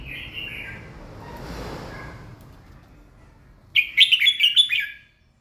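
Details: Red-whiskered bulbul morning song: a soft slurred whistle over a hissing background, then a lively run of six or seven quick, bright chirping notes near the end.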